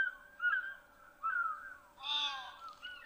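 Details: An African fish eagle at an African waterhole with hippos and crocodiles nearby, 7 July, gives a series of loud, ringing, yelping notes that slur downward, with a steady low hum underneath.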